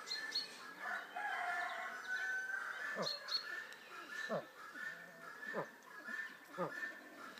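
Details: A crested fireback in Sofia, Bulgaria gives a drawn-out, harsh, fowl-like call, then four abrupt notes that plunge steeply in pitch, spaced about a second apart.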